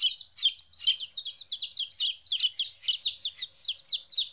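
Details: Baby chicks, 14 days old and away from their mother for the first time, keep up a loud, unbroken stream of high, slurred cheeps that overlap densely throughout.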